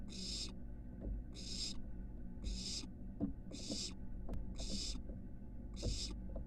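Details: Nest box camera at the University of Florida catches a barn owl nestling climbing from porch to building roof: six rasping, noisy hisses evenly spaced about a second apart, with a low electrical hum and faint taps beneath.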